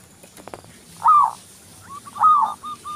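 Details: Local Zebra dove, recorded as a lure to get other doves singing, gives two soft, rolling coos about a second apart, each a brief burbling phrase, with faint clicks before the first.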